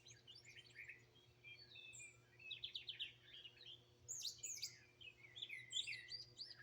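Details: Several wild birds in Greenville, South Carolina, recorded raw on a phone in 2023: varied high chirps, trills and short whistled phrases overlap and come in bursts, over a faint steady low hum.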